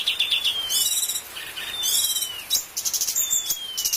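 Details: Cucak cungkok bulbul master song for training other birds: clear whistled notes sliding downward, alternating with bursts of very high buzzy, rattling trills, loud and continuous.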